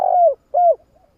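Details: End of a spotted dove lure call for attracting doves: two smooth, mellow coos, each holding level and then dropping away, with a short pause between.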